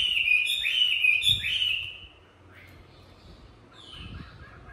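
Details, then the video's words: Chinese hwamei, a tame bird from Hà Nội trained for fighting-style song, delivers a loud burst of swooping whistled notes, then drops to a few quiet, distant phrases after a pause, with faint thuds. "Mi thuần hót đấu"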